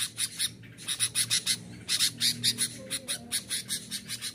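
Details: Sooty-headed bulbul singing to challenge opponents and draw in wild birds: scratchy, squawking notes delivered in quick runs, breaking off briefly near the two-second mark, over a low background hum.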